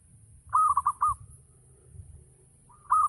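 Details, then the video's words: Local zebra dove giving a full 'ngayer' lure song to stir other doves into singing: a rapid four-note cooing phrase, a faint held note after it, then another phrase starting, over low rumbling noise. "Gacor Perkutut Lokal || Pancingan Full Ngayer Perangsang Nyaut Bunyi"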